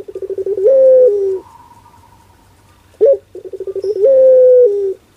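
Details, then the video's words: Barbary dove (puter) in the pelung style: a run of quick stuttering pulsed coos swelling into a long, level drawn-out coo that dips at the end, then a sharp single note and a second identical phrase. "Suara LUCU PUTER Pelung"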